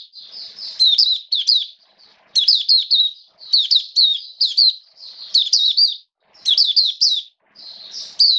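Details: Oriental white-eye kept as a caged hobby bird, in wet rainy weather on 29 September 2022, delivers continuous high, thin chattering phrases of quick wavering notes, grouped in runs broken by brief gaps.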